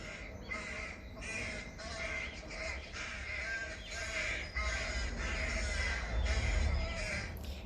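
A crow gives harsh, hoarse caws in a rapid series, about two every second, over a steady low rumble.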